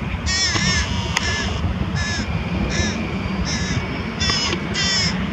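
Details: Carrion crow with prey feeding young at Diemerbos, 22 July 2020; a rapid run of seven short, grating, nasal calls at roughly half-second intervals, one sharp click, low background rumble.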